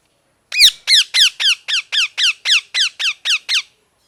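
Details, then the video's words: [1, 'Parrot giving a fast series of twelve harsh, downward-slurred chirps, about three or four per second, loud and evenly spaced against a silent background.'] "Parrot Chirping Sounds | Natural Parrot Sounds | Parrot Calling Sounds"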